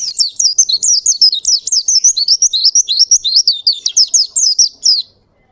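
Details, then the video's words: Oriental white-eye, wild type, giving a clean, continuous rolling song: a quick run of high, wavering, zigzag whistled notes, evenly packed for about five seconds before stopping abruptly into silence. "Pleci Ngalas Gacor Ngerol Durasi Panjang"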